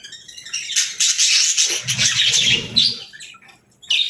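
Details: Short run of budgerigar twittering, scratchy chirps swelling then fading, ending with a sharp squeak after a quiet moment; faint low fluttering noise beneath.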